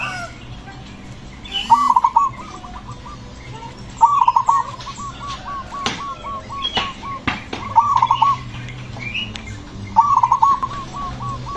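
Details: Zebra dove singing bubbly coo phrases every two to three seconds, each followed by a trailing run of quick notes, with sharp clicks and knocks and a low hum; its loud song is said to provoke other doves.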